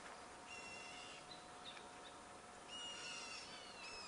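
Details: Black bulbul (Hypsipetes leucocephalus) cheeping in response to another black bulbul: two bouts of thin, squeaky, nasal cheeps, the second louder and more excited, over soft background hiss.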